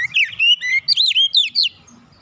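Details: Oriental magpie-robin relaxed lure song for getting young birds singing: a rapid, varied string of about eight loud, warbling whistled notes that loop up and down, ending abruptly.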